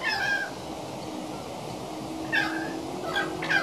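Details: A young male pied currawong practising its song, recorded 28 February 2016, gives three brief, wailing, cat-like notes with ringing overtones, spaced a second or two apart, over a steady low background hum.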